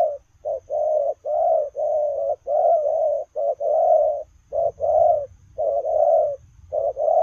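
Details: Running spotted dove cooing almost continuously: loud, low, slightly rough coos, long phrases broken by brief clipped notes, close and clear with faint low rumble underneath.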